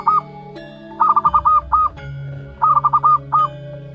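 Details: Month-old local wild zebra dove chick: a single hooked note, then two phrases of fast stuttered notes each closing with a looped coo, with a steady drone and low rumble behind.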